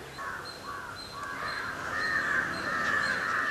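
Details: Jungle babblers in a coffee plantation at Yercaud give harsh, grating chatter that runs almost without a break and grows louder; a faint, high note repeats steadily in the background.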